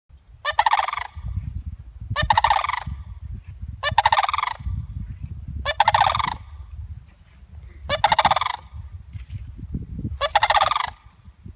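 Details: A sandhill crane at Savannas Recreation Area, Florida, gives six loud, rattling, rolling calls, each about a second long and coming roughly every two seconds, over low rumbling wind noise.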